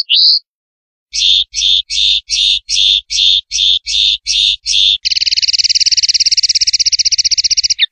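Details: Male common linnet in open country, seeking a singing perch in a bush or hedge: a short upslurred note, then about nine buzzy chirps in steady sequence, ending in a long, fast, rattling trill. No other sounds.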